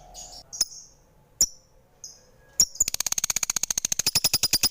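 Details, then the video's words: Lovebird at home: scattered short high chirps and clicks, then a fast run of sharp pulsed notes that speeds up into steady rapid chattering. "Suara Merdu Burung lovebird"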